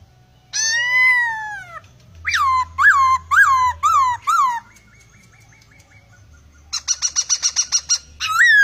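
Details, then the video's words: Laughingthrush in constant song packed with varied, strange sounds: a long harsh downslurred note, a series of loud falling whistles, a rapid buzzy rattle, then a rising whistle. "Poksai gacor isian full...suara anehh"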